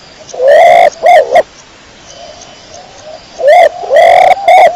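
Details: Dara kecor pigeon cooing loudly: a rising, rasping coo, then a shorter one, a pause filled with quiet distant coos, then three more strong grating coos close together.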